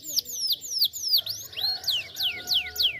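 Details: Canary song used as a lure for other canaries: an evenly paced series of sharply falling whistled sweeps, about three each second, over a faint steady low tone.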